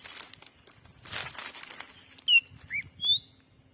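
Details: Black-capped bulbul lure call played to draw in wild birds in a Sumatran forest during daytime: rustling and flapping noise, then three brief whistles, descending, low curved and rising.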